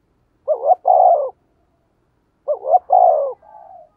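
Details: Lure coo of a spotted dove: two matching phrases about two seconds apart, each a brief wavering double note and a long, rough, descending coo, with a soft trailing whistle after the second.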